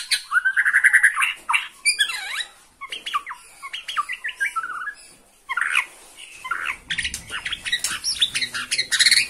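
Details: White-rumped shama singing excitedly at the sight of a rival: varied loud phrases of sharp chirps, squawky notes and quick slurred whistles, with brief pauses between bursts.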